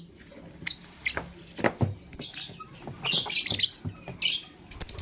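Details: A male lovebird picking a mate utters dense, rasping high chirps that run together into short chattering bursts, alternating with single squeaky notes and brief quiet spells.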